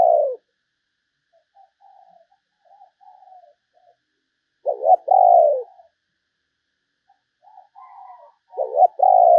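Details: Spotted dove decoy calling, meant to lure other doves, with a quiet lead-in of soft notes before two loud, low, mellow coo phrases, each a short stuttered note followed by a longer drawn-out coo, about four seconds apart.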